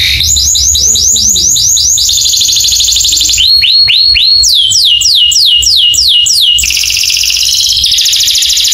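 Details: Canary training song used to prompt other canaries to sing: fast repeated descending whistled notes, then a buzzy high trill, slower downward-curving whistles and another rapid rattling roll, loud and continuous.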